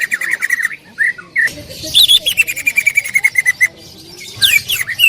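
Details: Greater green leafbird, a loud singer used as a training recording, sings varied whistles and a long steady pulsed trill that slowly drops in pitch.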